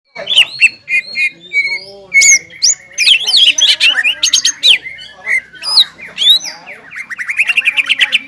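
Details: Caged greater green leafbird in full song, roused to excitement by stirring its breeding urge: a rich mix of whistled slurs, chattering notes and rapid mimicry, ending in a fast run of repeated notes.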